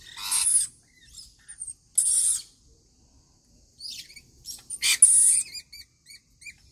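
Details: Rainbow lorikeets at their daily routine feeding: harsh, high-pitched screeching bursts near the start, at two seconds and at five seconds, between softer scratchy notes, then a quick run of short, sharp, evenly spaced chirps to the end.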